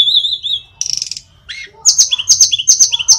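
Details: Sulingan gunung, or tledekan, an Indonesian flycatcher in lively song: wavering high whistles, a buzzy rattling burst, then a series of sharp, rapid repeated chirps at a quick pace.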